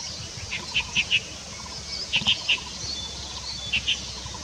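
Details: Collared finchbill recorded on 13 March 2022 at Caizi Creek, Lugu, Taiwan: short clipped notes in groups of two or three, repeated a few times against steady stream-like background noise.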